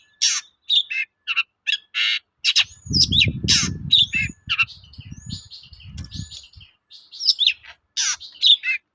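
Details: Long-tailed shrike lure song meant to make other shrikes answer; mixed harsh squawks, chirps and thin whistled upslurs, accompanied by a low rumbling background noise in the middle section.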